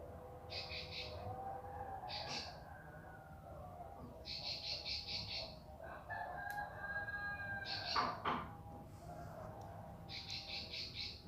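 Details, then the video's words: Bar-winged prinia (ciblek) delivering repeated short bursts of buzzy, rapidly pulsed notes, while a rooster crows midway and a steady low hum runs throughout. "Masteran Burung Ciblek Pari Gacor"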